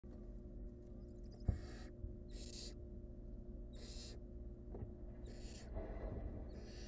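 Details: Barn owl mother and nestling as the adult saves the young bird from choking. Harsh, breathy hissing bursts repeat roughly every second, five in all, over a steady low hum.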